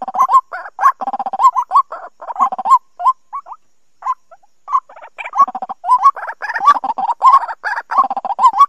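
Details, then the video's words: A White-breasted Waterhen, a recording used as a trapping lure call, gives rapid croaking notes in quick bursts of about one and a half per second, with brief pauses between bouts. "Tiếng Quốc Bẫy"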